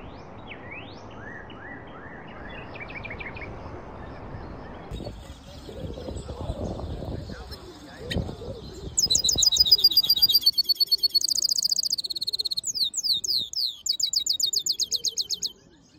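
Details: Black-hooded yellow siskin mule singing: after several seconds of low background rumble and a few short rising notes, bursts of rapid, high, metallic trills and buzzy rattles alternate with sweeping whistled slurs, each phrase repeated in quick succession.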